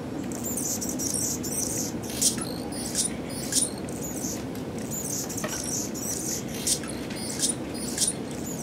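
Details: Male Anna's hummingbird with purple throat outside a porch in snowy Pacific Northwest winter 2017, singing thin, scratchy, very high squeaks and buzzy sputters in quick bursts about every second over a steady low rumble.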